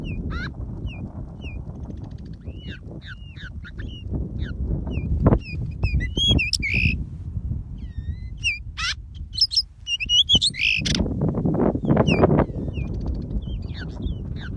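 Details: Trapped pied bushchat giving a long run of scattered whistled chirps, looping slurred notes and short buzzy trills at irregular intervals, with a loud low rumble and handling-like noise underneath, strongest toward the end.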